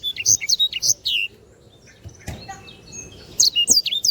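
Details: Canary singing hard on a bird-training recording: a burst of high chirps and whistles, about a second and a half of near silence, then quick bright notes resume.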